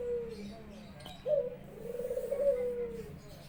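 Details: Caged Barbary dove at a home in Indonesia, cooing keenly as its owner comes home from work. The end of one coo fades out, then a single long, rolling, level coo with a slightly falling finish follows.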